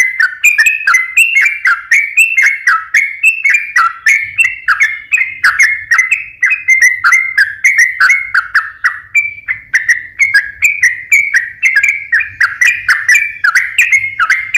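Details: Sooty-headed bulbul in full, continuous song for luring reluctant or stressed birds into singing: a long run of liquid, bubbly whistled phrases, each briefly rising then dipping, delivered steadily about twice a second, with slight low hum.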